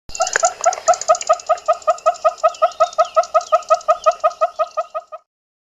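Southern Yellow-billed Hornbill giving a long run of hollow, clucking notes, about two to three per second, steady in pitch and fading off at the end.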